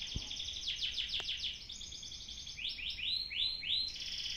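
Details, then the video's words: Canary singing, filmed with an old camera and judged for song competition: rapid trills of repeated high swept notes, shifting into slower descending slurred phrases, over a low background hiss. "apakah burung canari seperti ini sudah bisa buat gantangan ??"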